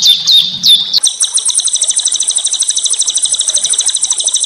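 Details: Small songbirds singing for a white-rumped shama training track: three sharp rising whistled notes open, followed by a very high, fast, steady rattling trill that runs to the end.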